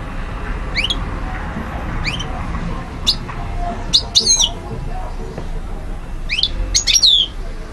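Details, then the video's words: European goldfinch recorded in Algiers, Algeria, in 2012, singing in short separate bursts: high rising sweeps and sharp metallic chirps about once a second, with quiet gaps and a low background rumble between phrases. "Carduelis* chardonneret* jilguero* حسون alger"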